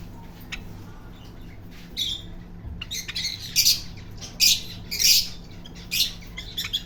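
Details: Parrot letting out loud, hoarse squawks in irregular bursts, several close together toward the end, over a low hum.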